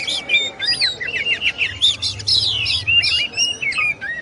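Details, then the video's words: Song of an oriental magpie-robin (kacer): sweet whistled phrases mixed with buzzy downslurs and quick chirps, continuous and varied, with a low droning hum underneath. "SUARA BURUNG KACER, MASTERAN PARA JUARA"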